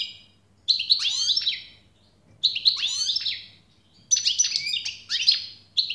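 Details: European goldfinch singing: three bursts of bright, tinkling, buzzy twitters with quick downward slurs, each lasting about a second and a half, separated by short silences, over a faint low hum.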